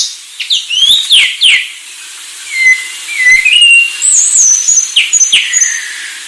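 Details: Sulawesi myna song mixing brief squeaky notes, a pause, clear flat whistles and high thin trilled whistles, with soft clicks between.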